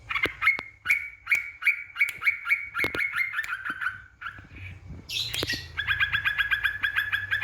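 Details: Rival-provoking lure of yellow-vented bulbul song: a run of evenly spaced liquid notes slowing and dropping in pitch, a short gap, a harsh burst, then steady rapid chattering to the end.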